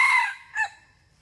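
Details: A male red junglefowl gives a short, harsh crow: a loud, ringing opening note that quickly fades, then a brief clipped second syllable; call used to lure wild junglefowl into traps.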